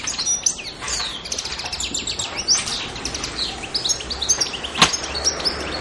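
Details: European goldfinch, Pantelleria, Italy, 2 January 2011: rapid, high, chattering song with twangy, buzzy elements, a sharp snap near the end, against a light outdoor background.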